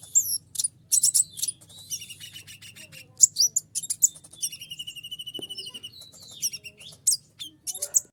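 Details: Common Iora in breeding condition, excited at the sight of a female: a lively, nonstop stream of high sharp chirps, quick trills and buzzy rattling phrases, with brief pauses between bursts, over a faint low hum.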